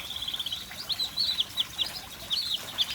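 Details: Whistling ducks just arriving, giving a string of thin high whistled notes, some rising and falling, scattered over three seconds with short pauses between bursts.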